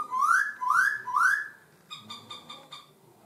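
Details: Laughingthrush song with voice changes: three loud rising slurred whistles about half a second apart, followed by a fainter series of short even clipped notes.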